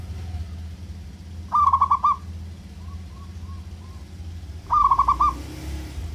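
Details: Local zebra dove singing to goad rivals' temper and lust gives two fast stuttering coo bursts about three seconds apart, with soft, faint distant coos between and a low rumble underneath.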